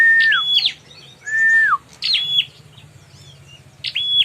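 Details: Bar-winged prinia used as a fight lure: a long lower whistle that falls away, then sharp high chirps with level notes, repeated with pauses over a low background hum.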